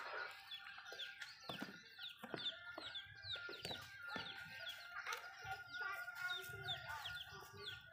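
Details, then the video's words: Malay chickens feeding in a home backyard, pecking at food with irregular sharp taps, about 150 per minute, amid a dense layer of thin, falling cheeps and a constant faint tone. "Chicken malayo asmr nice but nonuse sound eating food"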